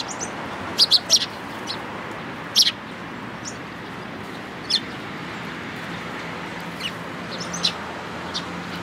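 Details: At a Tenmangu shrine on 11 April 2018, sparrows gather at food; a few loud clipped chirps come in quick clusters early, then sparser single notes over a soft background hum.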